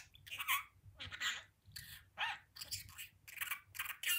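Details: Budgerigar mimicking speech from its window perch. Short, raspy, word-like phrases come about twice a second, separated by brief gaps.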